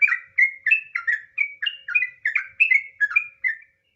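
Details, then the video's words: Trucukan (sooty-headed bulbul) in gacor ngropel song used as a lure: about a dozen crisp whistled syllables at an even pace, about three a second, then the phrase stops and silence follows. "suara asli burung trucukan, trucuk nggaruda ngropel"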